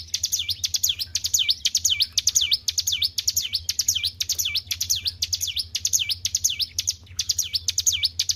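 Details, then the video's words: Caged white-browed shortwing in full, energetic song, repeating high, sweeping whistles that dip and climb again in quick succession, roughly two notes each second, with one short gap. Only a steady low hum accompanies it. "GACOR IDOLA PARA SUHUU..BURUNG CIBLEK GUNUNG"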